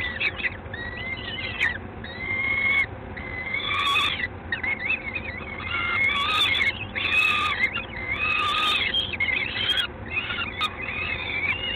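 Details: Peregrine falcon in Gdańsk, Poland, 3 June 2016, 19:47. Bursts of squealing, wavering cries alternate with short pauses. Several louder clusters come near the middle and end, with a few sharp clicks and continuous low noise.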